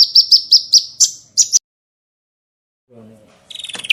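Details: Small bird giving a burst of seven or eight bright, evenly spaced high chirps, then a pause and a short rising buzzy trill with a faint low background sound.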